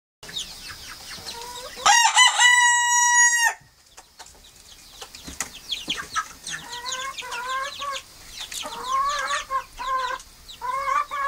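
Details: Friesian cockerel giving a single loud harmonic crow of about two seconds, opening with short stuttered notes and holding a steady tone, followed by a string of softer rising, chirping clucks repeated at irregular intervals.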